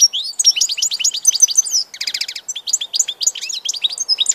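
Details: European goldfinch in full song, loud and close: an unbroken stream of high liquid chirps and twitters with a short rattling trill near the middle.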